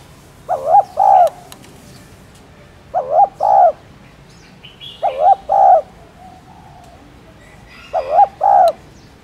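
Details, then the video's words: A spotted dove repeats its soft, low two-note coo four times, roughly every two and a half seconds: a quick quavering note, then a longer mellow one. It is played to excite caged doves into calling. "Tiếng Cu Đất Gáy , Cu Cườm Gáy Kích Bổi"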